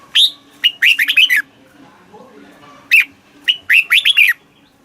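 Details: Thai red-whiskered bulbul in southern master style, meant to excite caged birds and tutor youngsters. Two loud phrases of rapid, chirpy, up-and-down warbled notes separated by about a second and a half of quiet.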